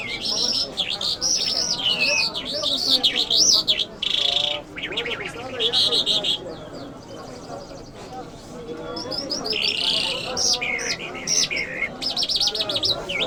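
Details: Iranian jal lark, Mashhadi mast, pours out looping whistles and buzzy bursts, falls silent midway while people talk, then resumes with rapid chirps.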